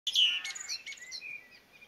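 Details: Blackbird singing in a Somerset garden during lockdown: a loud fluty whistle that slides downward, then softer, quieter warbled notes trailing off over under two seconds.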